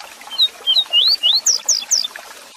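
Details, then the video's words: Double-collared seedeater (coleiro) singing the 'Tui Tui Zel Zel' song style, used to tutor and manage kept birds. High, clear whistled notes come in a quick series of upward slurs, rising higher toward the end of the phrase. "Tui Tui Zel Zel DIFERENTE para Encarte e Manejo de Coleiros"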